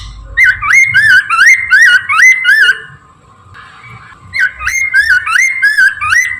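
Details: Chinese hwamei singing in the morning, used to lure birds: two runs of five or six loud, liquid whistled notes, each swooping up and down, separated by a brief pause, with a steady background hum.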